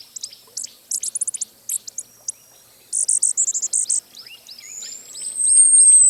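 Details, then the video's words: Costa's hummingbird uttering clusters of dry, rapid high ticks in two bursts, then a thin rising high whistle that holds to the end. "Canto do Beija-Flor da Costa"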